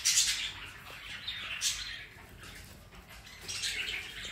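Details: A pet rainbow lorikeet enjoying a Sunday afternoon indoors makes short, raspy, high chattering screeches, one burst at the start, another midway and a final run near the end.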